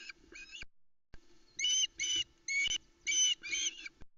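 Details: Excited begging from young ospreys at Loch Arkaig at dawn, 16 July 2020, as the adult male delivers a trout; one squeal followed by five loud, piercing harmonic squeals in quick succession, with a faint steady hum beneath.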